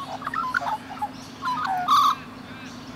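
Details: Rainbow lorikeets cuddling and grooming each other give soft, short chirps and squeaky twitters, ending in a louder rasping note, over a low steady hum.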